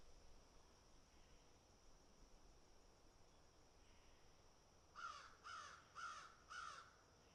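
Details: Crows picking at and eating food: after five seconds of quiet background hiss, four loud, harsh, hoarse caws come in a quick even series about half a second apart.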